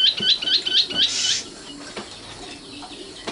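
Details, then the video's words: Common nightingale (sikatan londo) giving a quick series of about five sharp repeated chirps, then a brief harsh buzzy burst, followed by quiet. "kicau burung sikatan londo matal"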